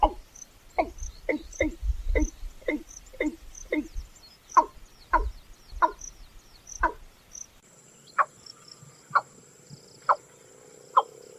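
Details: Watercock giving hollow, liquid, downward-sliding gulps like a water bottle emptying, a call males make when breeding, about two per second, slowing to roughly one per second with a faint high hiss behind.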